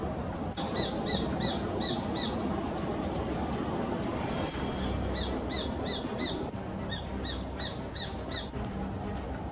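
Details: Female Japanese sparrowhawk calling on the Onda River, Tsurumi River system, Tokyo/Yokohama, around 29 April, near where it preyed on a small bird, giving quick bursts of six to eight sharp, high, chattering kew notes over distant traffic rumble.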